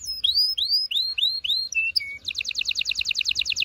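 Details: Singing canary, its song used to excite females and males before mating: several long upward-sweeping whistles, two flat pure notes, then a rapid rolling trill of paired bright notes.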